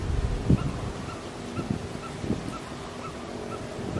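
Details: Coppersmith barbet (Psilopogon haemacephalus) giving soft, hollow, evenly spaced tuk notes, about two a second, over low rumbling background noise.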